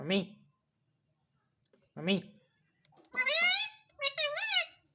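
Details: Talking parrot taught to say "mummy" and "papa": a person speaks two short low-voiced words, then the bird answers with a high, nasal, warbling imitation of speech in two quick phrases.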